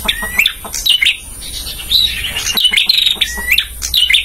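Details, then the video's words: A male bar-winged prinia, recorded for teaching caged birds, sings quick bright phrases: high flat whistles sweeping upward into sputtering chirps, packed close together with dry clicks throughout. "suara masteran burung prenjak jantan"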